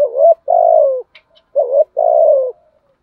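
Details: Decoy spotted dove cooing in 'giọng thổ' style: two low phrases, each a brief rising note followed by a long, smooth, gradually descending coo, with a faint high chirp between them.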